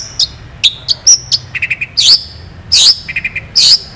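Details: Long-tailed shrike in full mimicking song with long, sharp, clear phrases: high whistled notes, quick triple ticks and loud rasping bursts alternate in a varied, fast sequence over light background noise.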